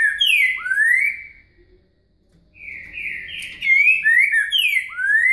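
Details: Green-winged saltator, called trinca-ferro in Brazil, singing a soft-voiced boca mole song with a virada: loud slurred whistles sliding down then up, a brief pause, then a run of rich descending whistled phrases.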